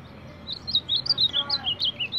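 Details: Ultramarine grosbeak, a baderna champion, singing a tight burst of bright whistled notes at a quick, even pace, each note curling up then down, with the pitch stepping about and the phrase running on to the end.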